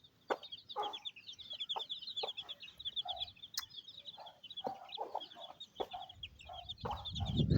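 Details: Mother hen feeding her chicks on a rainy day in a Pakistani village; high, repeated thin peeping of chicks runs throughout, with short lower hen clucks and scattered taps and knocks.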